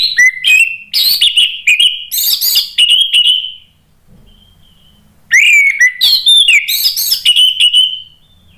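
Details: Orange-headed thrush (anis merah) song used as a lure to provoke other birds into answering: two loud, rich outbursts of varied whistles mixed with harsh buzzy notes, each lasting about three and a half seconds, separated by a brief quiet gap.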